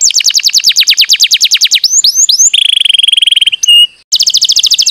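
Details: Singing canary, a lure recording for getting idle canaries vocal. A fast pulsing trill of sweeping notes, brief slurred whistles, then an extended buzzy roll before the pulsed trill resumes.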